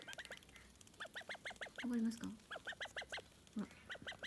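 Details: Call duck duckling, a pet chick whose voice changed within three hours: steady runs of short high peeps, broken by one low hoarse breaking quack in the middle and a brief low note near the end.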